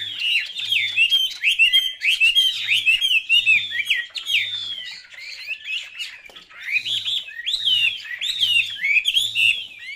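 A Chinese hwamei pours out a loud, rich song of rapid whistled and slurred phrases, high and varied, barely pausing, with a faint low hum underneath.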